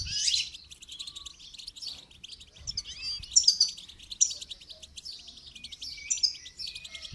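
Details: Goldfinch singing during song training, a steady run of high, tinkling twitters and quick chirps that rise and fall in short phrases, against a soft low background rumble.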